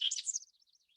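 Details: House wren song, a bird that babbles in shrubby, wooded areas around Lincoln, Nebraska in spring: a quick, bubbly tumble of high, buzzy, repetitive notes that fades into softer, scattered chatter within a second.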